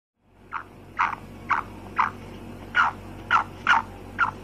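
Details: Female black francolin (kala teetar) giving short, harsh mid-pitched notes, eight in about four seconds at an uneven pace, over a steady low background hum.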